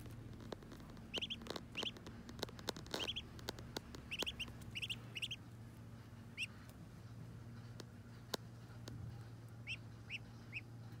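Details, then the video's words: Muscovy ducklings having their first bath utter sparse doubled high peeps between faint clicks and taps, with a steady low hum in the background. "Muscovy Ducklings’ First Bath 🛁💦💦💦 [Original Sounds]"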